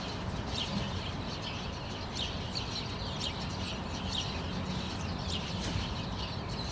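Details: Several House Sparrows vocalizing in a rose bush in the morning, Helsinki, Finland, August 2013: repeated short chirps from a group, irregular and overlapping, over steady low background rumble.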